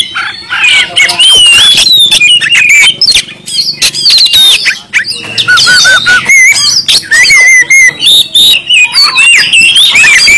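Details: Vigorous song of a Kalimantan Oriental magpie-robin, meant to make other magpie-robins answer, sing and fan their tails; rapid varied whistles, slurred rising and falling notes and harsh chips tumbling continuously for ten seconds.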